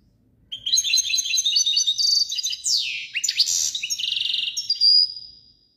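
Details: Chardonneret, or goldfinch, delivering a long, varied song of rapid tinkling twitters, a loud descending swoop, buzzy trills and a final thin, sustained high whistle, against quiet low background noise.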